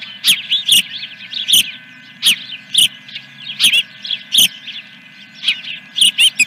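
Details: Osprey at Dunrovin Ranch on 3 May 2021, about 8 a.m., first fish delivery: sharp, high chirps in short clusters separated by pauses, each burst bright and piercing, over a constant low background hum.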